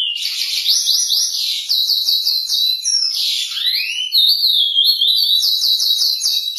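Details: Curió from a breeding setup delivers a loud, unbroken song of quick, bright whistled phrases rising and falling, with a long swooping slurred note midway and faint clicks underneath.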